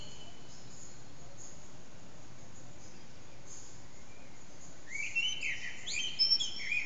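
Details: Early morning common blackbird, around 4:40am, echoing backyard, phone recording: mostly faint hiss, then near the end a loud burst of warbled whistles and shrill twittering notes.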